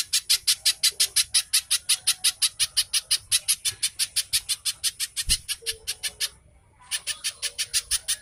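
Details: Rapid little spiderhunter song for luring captive birds into song: rasping high notes hammered out about five per second, a brief break near the end, then the series resumes.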